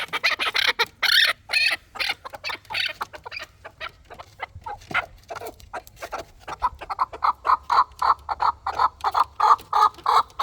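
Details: Fighting chukar partridge giving loud broken clucks that settle into a steady, even series of rhythmic chuck notes, about three per second, toward the end.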